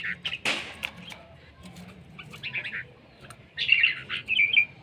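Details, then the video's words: Red-whiskered bulbul, a caged songbird from Laos, praised as beautiful and fierce, gives short bright warbled phrases in a burst near the end, after a sharp knock and a few faint scattered notes. "Noog diab kaum lauj zoo nkauj khav heev"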